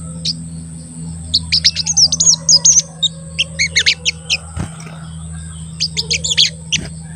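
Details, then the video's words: Crested jay calling 'cuit cuit', used to goad other crested jays into calling: rapid bursts of high, sharp chirps in uneven runs, pausing and resuming, over a steady low electrical hum. "Pancingan Sogon Agar Bunyi dan Emosi, Sogon Bahan Auto Nyaut dan Cepet Rajin Bunyi"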